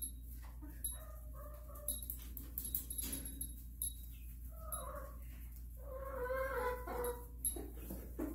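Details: Silkie rooster crowing: short harmonic calls early on, then a longer, strained, harmonic-rich crow lasting over a second near the end, over a steady low electrical hum.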